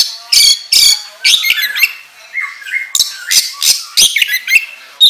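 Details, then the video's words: Oriental magpie-robin singing a lively lure song for training: loud harsh bursts alternate with clear whistled notes and short flat tones, phrases spaced irregularly with brief pauses between them. "Pancingan Kacer Gacor Ngobra Menggila"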